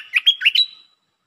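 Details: Red-whiskered bulbul giving one short, lively warbled phrase of four or five clear whistled notes that ends on a drawn-out level whistle, with no other sounds heard.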